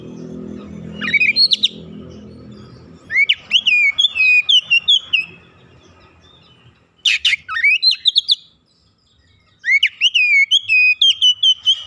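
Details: Young oriental magpie-robin (kacer) in training, singing gacor and showing off its mimicry: bursts of sharp whistled, slurred notes repeated in quick series, with pauses between bursts and a low rumbling noise at the start.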